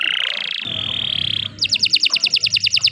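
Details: Canary song for training other birds: a nasal buzzy phrase, a steady whistled tone, then a rapid series of bright repeated notes, with a faint low hum underneath.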